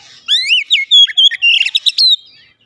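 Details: Oriental magpie-robin kept as a house bird, song played to encourage a caged bird to sing: a single rich phrase of rising whistles, then quick chattering slurred notes, clear and loud.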